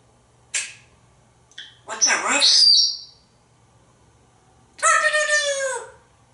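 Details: Talking African grey parrot, hatched 1997, kept at home in Texas, imitating a rooster's cock-a-doodle-doo in a kitchen when asked what a rooster says: a short click, a harsh noisy squawk with a whistle, then a long harmonic falling crow-like call.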